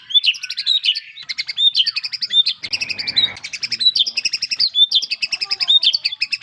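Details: White-rumped shama song: rapid, dense, high chattering phrases with quick repeated notes and short whistled slurs, delivered almost without pause, with a brief burst of broadband noise near the middle.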